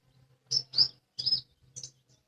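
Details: Lesser green leafbird singing vigorously: four short, high chirped notes in two pairs, sharp and slightly slurred, within about two seconds, with a faint low hum beneath.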